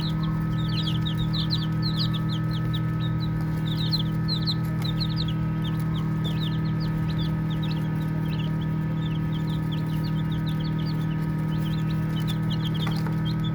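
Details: Baby chickens chirping while playing, giving many soft, short, high peeps that overlap rapidly, about three per second, over a steady low hum that runs throughout.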